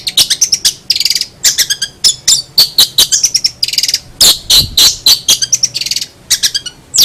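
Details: Long-tailed shrike pouring out a varied, chattering song of fast high clicks, rasping bursts and short twittering phrases, loud and close.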